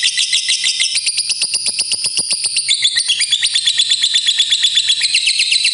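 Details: Fighter lovebird in a long trill (ngekek panjang), used to prompt other lovebirds to sing: shrill, rapid notes about four per second, steady and unbroken, with the notes slightly lower partway through.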